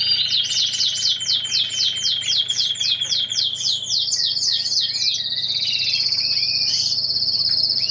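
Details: Mosaic canary singing during mating: fast repeated trills of rising notes, then a long, steady, rapid buzzy trill held for several seconds, bright and continuous throughout.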